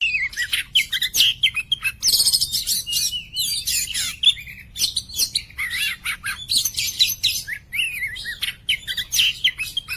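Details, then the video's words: Oriental magpie-robin, kacer poci, a caged bird in full song used as a tutor for other birds: rapid loud varied phrases of whistles, trills and harsh notes, continuous with brief gaps. "Burung Kacer Gacor"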